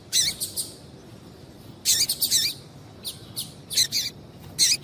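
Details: Double-collared seedeater female calling to stimulate a male into singing: clusters of two or three high, buzzy, wavering chirps repeated at intervals of roughly two seconds against a quiet background.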